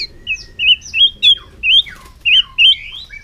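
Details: White-rumped shama repeating short, warbled whistles about twice a second, each with a wavering twist, over a thin, steady tone.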